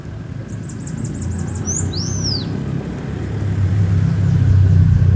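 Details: Bananaquit song with six quick, very high, sibilant repeated notes followed by an arching whistled slur, heard over a loud, steadily growing low rumble like a passing vehicle.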